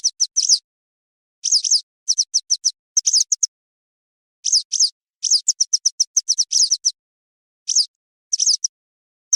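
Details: Western yellow wagtail call for hunting use. Clusters of shrill, slurred chirps and brisk ticking runs come in bursts, with a longer quiet spell near the middle. The background is clean and silent.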